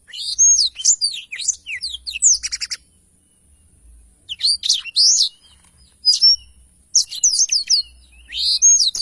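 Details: Black-throated canary singing as tutor material for songbirds: high, rapid twittering phrases with a dry buzzy rattle, then gaps and further bursts of sharp chirps and whistles.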